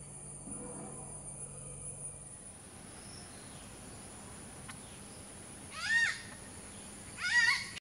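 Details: Malabar grey hornbills giving two loud rasping cackle bursts about a second apart near the end, after a quiet stretch with a faint high insect whine and low rumble.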